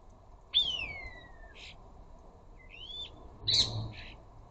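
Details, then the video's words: Rose-ringed parakeets from a flock of up to a dozen visiting a garden bird feeder, chattering and squawking: two loud, harsh descending screeches with shorter rasping notes between, over a low steady hum. "Flocks of Ring necked parakeets."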